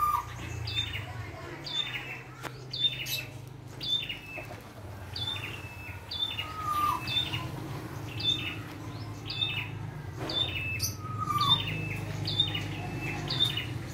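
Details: Wild red-headed prinia in lively song full of varied phrases. High two-part chirping notes come in a fast, uneven series with an occasional lower whistled slur, over a constant low drone.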